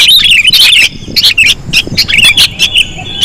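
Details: Sooty-headed bulbul lure sound, described as very sensitive: loud, dense bursts of high chirps and bubbly squeaky notes, with short pauses between bursts and overlapping voices.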